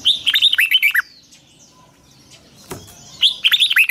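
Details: Red-whiskered bulbul morning training song in the double-twisted long style, meant to spur wild-caught birds into full song. A rapid warbled phrase, a pause broken by a sharp click, then another quick chattering phrase.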